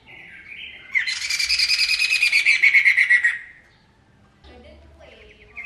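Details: Masked laughingthrush in booming song: a brief buzzy note, then a strong, fast, pulsing chatter that slides gently downward for about two and a half seconds before stopping. Faint chirps follow.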